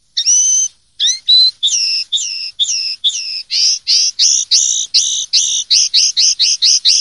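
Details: Common linnet singing in the clean "pardillo limpio" style from a 2023/2024 silvestrismo song CD: bright whistled, harmonic notes, first long and level, then quickening into a rapid run of short repeated chirps, with no other sounds.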